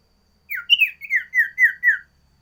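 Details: A sooty-headed bulbul delivers a phrase of six slurred, falling whistles in even succession, part of a loud, energetic variation song meant for tutoring and luring birds.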